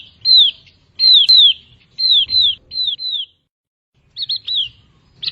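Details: Javan grey-throated white-eye from high mountain forest giving clear, high down-slurred whistled notes, mostly in pairs, about one per second with brief gaps, over a quiet low background hum.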